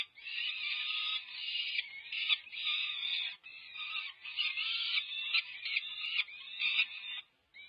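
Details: Five-week-old peregrine falcon chicks at a UC Berkeley nest scream for food at feeding time, 18 May 2023; hoarse, grating cries in bursts of about half a second to a second, separated by short breaks.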